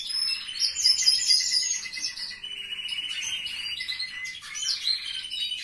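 Several canaries sing at once, with bright, high chirps and long rolling trills that overlap into a busy aviary chorus.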